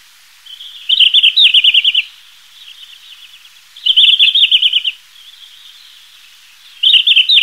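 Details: A Red-flanked Bluetail (Tarsiger cyanurus) sings short, high, rapid warbling phrases of about one second each, repeated roughly every three seconds, with softer notes between.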